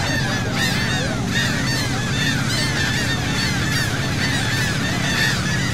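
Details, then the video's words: Gulls calling around a boat at sea off Saint Martin, Cox's Bazar, Bangladesh: many overlapping harsh, nasal squawks and short arched cries from several birds, continuous throughout, over a steady low droning engine hum. "Wonderful Seagull Sound from Sea Boat, Saint Martin, Cox's Bazar"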